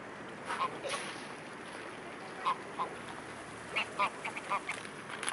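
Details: Young swan, nearly a year old, greeting a familiar person at the Blaues Wunder in Dresden on 24 April 2016, a day of rain then sunshine: short soft nasal notes given irregularly, about eight in five seconds, over steady outdoor hiss.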